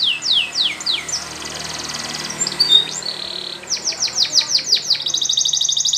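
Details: Canary in training song: falling whistled notes, then a soft buzzy trill and brief chips, followed by a burst of quick descending notes and a high rolling trill. Background hiss throughout.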